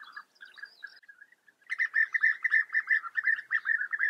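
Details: European bee-eaters at a breeding colony in the Eifel, Germany, give liquid, rolling 'prruip' calls. A few soft notes come first, then a rapid, overlapping chorus of several birds calling together.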